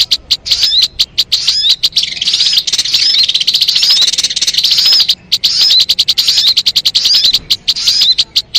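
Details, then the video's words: Sharp, high-pitched crimson sunbird (sogon) song used for luring birds: staccato ticks building into long, shimmering trills with thin curling whistled notes, then isolated clicks again. "MP3 suara burung sogon..!!! Mikat burung anti gagal"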